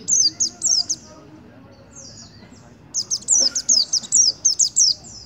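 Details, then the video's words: White-eye singing aggressively at a sunbird right in front of it: high, thin, rapid slurred notes in quick bursts, a short run, a near-silent pause of two seconds, then a denser string of sharp repeated twitters. "Pleci Nembak Kolibri Depan Muka"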